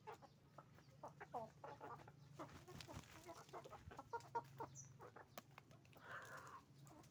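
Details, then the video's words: Flock of roosters and hens on a chicken farm: dense overlapping clucks and cackles, with a low steady hum beneath and a brief high chirp near the end. "Moment of the sound of a chicken farm, roosters and hens making noise"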